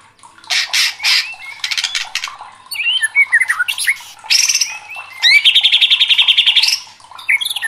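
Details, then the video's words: White-rumped shama in loud, agitated song: a fast, varied run of sharp chirps, sweeping whistles and buzzy rattles, high-pitched throughout, with a long rapid trill of repeated notes near the end. "murai batu gacor"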